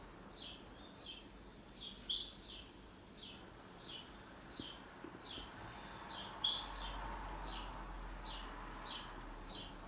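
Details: Pet canary singing in duet: a long series of soft, falling whistled slurs at an even rhythm, broken by two bright bursts of high chirping, the second a busy flurry of tweets.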